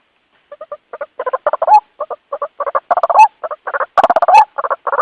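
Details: Lure recording of a white-breasted waterhen calling to its companions: after a half-second silence, rhythmic bursts of throaty croaking pulses, building louder, with drawn-out upward-bending squawks every second or so.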